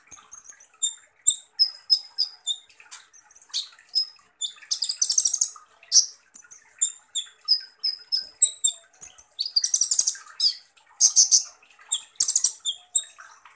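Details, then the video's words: Van Hasselt's sunbird (kolibri ninja) sings a long 'full tembakan kasar' sequence: quick, needle-thin high chirps, several scratchy rattling bursts, and continuous rapid delivery without pauses. "Dengan CEPAT konin NYAUT dan GACOR dengar SUARA BURUNG Kolibri Ninja Full Tembakan Kasar ini"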